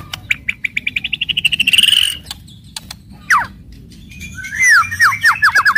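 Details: Fierce White-rumped shama song in kretekan keras and tembakan style, sung to stimulate other shamas: an accelerating series of about fifteen sharp repeated notes, a loud downslurred shot, then a rapid run of falling whistled sweeps.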